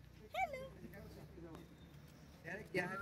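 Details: A pet common hill myna gives short, speech-like phrases with sweeping, warbled pitch while talking with a girl, whose voice answers over a low background hum.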